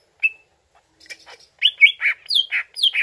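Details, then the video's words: Greater green leafbird song used as a lure to draw an answer: a short whistled note, a pause, then a jumble of slurred whistles and chattering notes, some sweeping downward. "CUCAK IJO LANGSUNG NYAUT DENGAR PANCINGAN INI"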